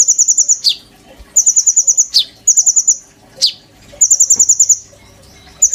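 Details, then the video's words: Oriental magpie-robin in a cage giving tutor song for white-rumped shamas: brisk strings of high, evenly spaced pulsed notes, each followed by a single sharp descending chip, repeated four times. "BURUNG KONIN GACOR.GURU POKAL MURAI BATU GAYA SUJUD"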